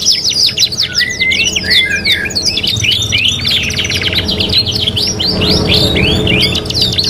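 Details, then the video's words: Prolific canary singing in a three-in-one training recording: dense fast trills and rolling buzzy phrases, frequent upslurred whistles, continuous high-pitched chatter throughout with a faint low hum underneath. "MASTERAN 3 IN 1 KENARI GACOR | CANARY SINGING"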